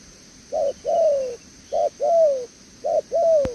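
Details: Spotted dove, freshly caught from the wild, cooing 'đèo lò xo': three couplets of a short note and a longer falling coo, evenly spaced, ending with a sharp click.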